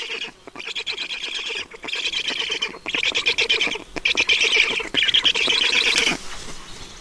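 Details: Black storks at a nest in Estonia on 5 June 2019 around 20:28, as an adult brings water; harsh, wheezy squawking calls repeated in rapid bursts, with short pauses between runs.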